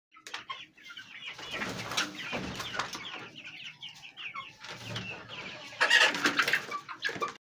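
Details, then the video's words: Domestic hens cluck and chatter in short, uneven bursts, several birds overlapping, with a louder squawking run near the end. "sound of domestic chicken | hen voice"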